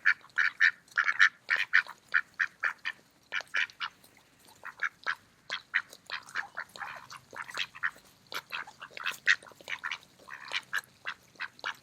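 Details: Mallard ducks eating in the park on an autumn day: a fast burst of clustered quacks, then a looser, uneven sequence of short nasal quacks from several birds.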